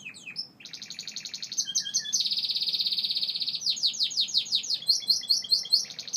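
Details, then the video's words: Singing Gloster canary delivers loud, continuous rolling trills at high pitch, shifting between rapid buzzy and pulsed phrases with short chirps layered above, with no pause between sections. "Gloster Canary Bird Singing"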